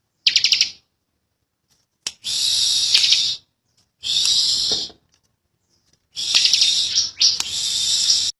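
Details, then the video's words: Ciblek, or bar-winged prinia, endemic to Indonesia, delivering a long, tight ngebren-style song: four dense, very high, buzzing trills of about one to two seconds each, separated by clear pauses, with a short sharp stutter opening the first. "Ciblek Kali | Cikal Super Ngotot Ngebren Rapet Panjang"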